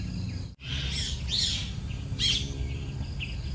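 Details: Bulbul chicks on their first day after hatching, fed by their mother: short bursts of high, scratchy chirping, three quick clusters over a few seconds above a low background rumble.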